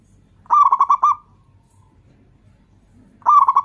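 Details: Local zebra dove (perkutut) in full voice, used as a lure to set other doves calling: two bursts of rapid, clipped, hollow cooing notes, about six each, separated by a quiet gap of roughly two seconds.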